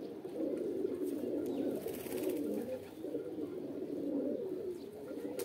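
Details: Low, rolling pigeon coos in a mating call blend into a steady, crowded chorus, broken by a brief rustling hiss and a few sharp higher clicks.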